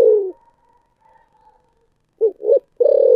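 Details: Spotted dove singing in thổ sấm voice: the tail of a long falling coo, a pause, then two quick short notes leading into a sustained low coo.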